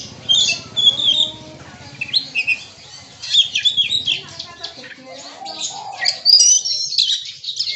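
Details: Bongkar isian song of a kacer (Oriental magpie-robin): dense bursts of high chirps, slurred whistles and rattling notes, loudest in the second half, with some low background murmur and other birds.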